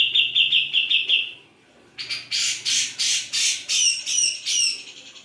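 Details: Grey-cheeked bulbul singing vigorously (gacor) with a piercing voice: a fast high trill, a brief pause, then a series of loud, rasping, broadband notes about every third of a second.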